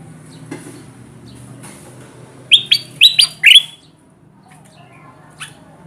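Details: Bulbul lure call, kutilang emas, played to bring wild birds close to traps: a short cluster of four or five loud, chirpy descending notes, then a single faint note, amid quiet rustling.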